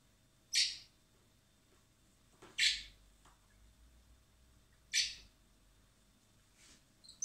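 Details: Hand-fed common blackbird young in spring at a wildlife rescue centre, awaiting release; three harsh high begging shrieks roughly every two seconds over a faint background hum.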